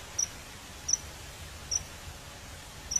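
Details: Common kingfisher hunting fish: four short, sharp, very high-pitched notes spaced roughly three-quarters of a second apart over a faint steady background hiss.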